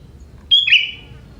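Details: Short phrase from a young forest sooty-headed bulbul singing with prenjak-type notes. A high whistle drops into a brighter, slightly buzzy warble that tails off.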